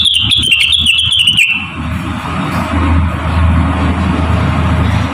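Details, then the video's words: Javan cochoa song used as a model for training songbirds: a thin, high whistle gently falling in pitch, laced with fast clicking notes, lasting about a second and a half before giving way to low rumbling background noise. "RENGGANIS / CUCAK WILIS GACOR CREWET MERDU"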